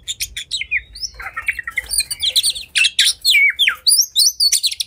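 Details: Fired-up oriental magpie-robin (kacer) in combative song that stirs rival birds to fan their tails; a varied stream of sharp chirps, slurred whistles and scratchy trills, roughly a hundred notes a minute.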